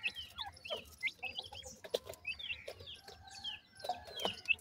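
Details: Grey francolin chicks being fed, a busy mix of high thin cheeps and short whistled notes with soft clucks, calling continuously over a low background rumble.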